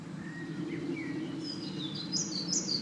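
European pied flycatcher giving thin, high whistled notes, a few short rising and falling phrases over about three seconds, against steady low background noise.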